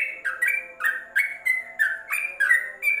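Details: Trucuk (Yellow-vented bulbul) song played for training caged birds under a cover: a rapid, bubbling chain of rich whistled notes, alternately higher and lower, nearly three per second, with a faint low hum behind.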